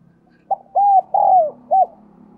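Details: Decoy spotted dove luring wild birds with a single cooing phrase: a short pickup note, then two drawn-out hollow coos and a crisp final note, with a low faint hum beneath.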